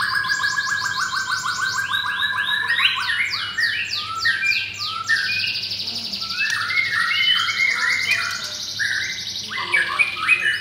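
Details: Caged adult white-rumped shama of mottled brown blorok plumage in Jakarta, Indonesia, singing while matched against another bird: dense, fast runs of sweeping whistles and rattling trills, shifting phrases nonstop, loud and bright throughout.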